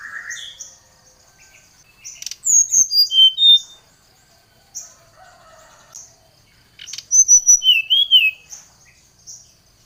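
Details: Song of a brown-chested jungle flycatcher calling out a rival, agitated and lively: two bursts of clear high whistles falling in pitch, the second ending in a looping slurred note, with soft chips between.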